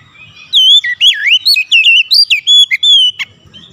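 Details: Lure song of the Oriental magpie-robin (kacer), used to make other kacers sing. Loud, clear whistled phrases run for about three seconds in deep swoops and quick wavering trills, ending in a sharp note.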